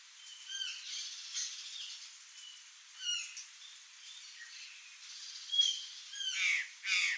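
Curl-crested jays give scattered sweeping, slurred notes and harsh, loud bursts toward the end, with softer chirps in between against a faint rural background.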